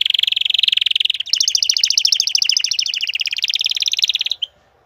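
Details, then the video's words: Domesticated male canary singing: an unbroken buzzy trill leads straight into a denser, higher rapid rattle lasting about three seconds, ending abruptly with a short note. "صوت كناري canary"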